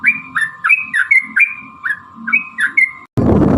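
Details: Sooty-headed bulbul lure song meant to set other bulbuls singing: evenly spaced whistled notes that dip and rise, about three each second, ending abruptly in a loud burst of noise.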